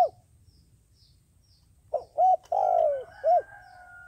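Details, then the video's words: Decoy dove used to lure doves for trapping, cooing after a quiet pause: two short hollow notes, a longer note sliding downward, then one more short coo. "Tiến cu mồi gáy chuẩn, gọi là đếnh"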